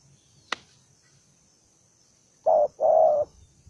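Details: Spotted dove, a single aggressive, belligerent bird, gives one low cooing phrase near the end: a short note then a longer, level one, after a sharp click and quiet background.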